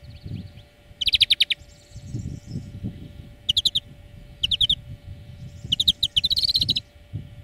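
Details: European greenfinch song used as a four-hour lesson for training birds: short bursts of rapid, bright repeated notes and trills, with a brief wheezy buzzing phrase after the first burst, separated by pauses over a low background rumble.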